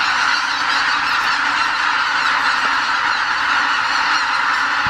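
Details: About 80,000 greater white-fronted geese (Anser albifrons) leaving their roost before dawn in spring at Lake Miyajimanuma, Bibai, Hokkaido, during northward migration, calling at once: a steady, dense roar of overlapping high, yelping honks with no break.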